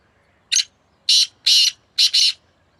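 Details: Calling contest between two black francolins. One bird gives a clear five-part grating phrase: a brief first note, two sustained rasping notes and a doubled closing pair, loud over a still background.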